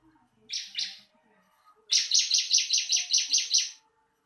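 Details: Ciblek, the bar-winged prinia, used for training other birds: two opening high chirps, then a fast burst of about eleven bright, buzzy notes at an even pace.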